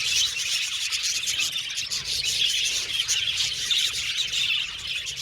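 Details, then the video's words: Budgerigars chirping together, a dense, unbroken chatter of high tweets, squeaks and short whistles overlapping throughout, with no pauses and no other clear sounds. "Budgies Chirping Sound"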